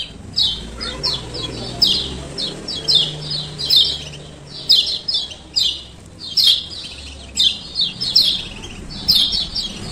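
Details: Male lemon-bellied white-eye from Lombok uttering short high chirps in evenly spaced bursts about every half second. These 'ciak ciak' lure calls are meant to get birds that have stopped calling to sing again.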